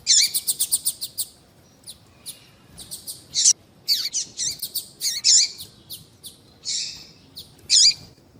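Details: Coleiro (double-collared seedeater) tui tui song with a female's call, for warming up a male before tournaments; it opens with a rapid even trill of repeated notes, then loud scattered chips and a buzzy note.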